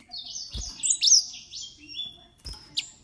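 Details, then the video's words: Green singing finches, 13 years old, give a fluttering, warbled high phrase with sliding whistles, punctuated by a few soft thumps and a final sharp chirp. "Green singing finches"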